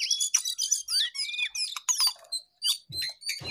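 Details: Jongkangan singing energetically: dense, bright whistled phrases with sweeping upward and downward slides and quick chips, broken by short pauses and a couple of soft low knocks near the end.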